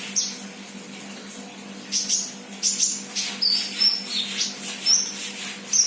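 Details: Raw, freshly kept sunbird in full voice: scattered high squeaky notes, then a busy sequence of thin chirps and falling whistled slurs, with a low background hum throughout.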